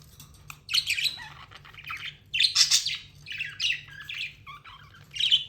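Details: Budgie in steady chatter: a stream of loud, rasping chirps and squawky warbles in uneven bursts, barely pausing, over a constant low hum.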